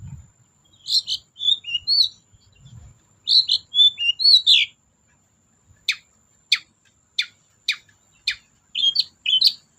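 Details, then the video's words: Long-tailed shrike singing as a lure to prompt silent shrikes: varied scratchy, chirping phrases at first, then a run of sharp, dry click-like notes repeated about every half second, ending in more chirps. "BURUNG CENDET GACOR DOR PANCINGAN CENDET MALES BUNYI"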